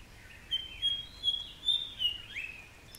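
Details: White-browed fantail in Shakambhari Conservation Reserve: a series of clear, thin whistled notes, several held flat and some gliding up or down, spaced about every half second, over faint low background rumble.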